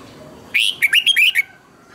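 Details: Red-whiskered bulbul practising its song, played to train other birds to sing, with double twisted notes: a rich, liquid phrase of about seven rolling whistles, rising then dipping, lasting nearly a second, in a quiet setting.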